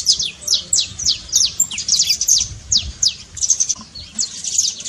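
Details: Bright trincado from a saffron finch, played to prompt a quiet canary to sing: separate high, falling chip notes, at times doubled or clustered, repeated quickly and steadily.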